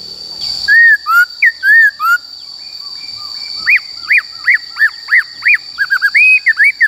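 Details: Khướu bạc má singing a wild forest-style song used to train young caged birds: clear whistled slurred notes near the start, then a rapid run of short arched whistles repeated about three times a second, over a steady high electronic tone.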